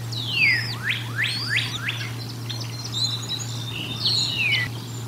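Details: During feeding at the Decorah North nest, 1 April 2022, a bald eagle gives a loud falling whistle, then a few quick chips and fainter drawn-out high notes, with a constant hum beneath.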